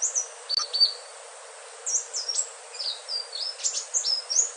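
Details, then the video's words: Indigo flycatcher, known locally as sikatan ninon, singing sweetly: short clusters of high, thin whistled notes and quick upward and downward slides, separated by brief pauses, with light background hiss. "Suara merdu sikatan ninon/ burung selendang biru"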